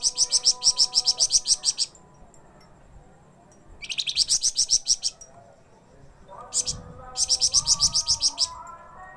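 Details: Flamboyan, a songbird described as singing eagerly day and night, gives three bursts of fast, high, ticking chirps separated by silent gaps, with a faint low droning tone underneath.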